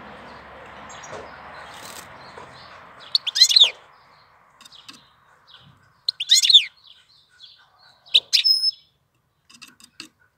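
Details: Goldfinch song in April: three separated bursts of lively twittering with slurred descending notes, the last closing in a thin whistle, after an opening of low background rumble.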